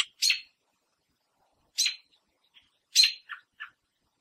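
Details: A female American robin on a backyard fence in Southern Ontario, Canada, upset at a person near her window-ledge nest of three eggs, gives three sharp, harsh alarm notes about a second apart, the later ones followed by quick softer clucks.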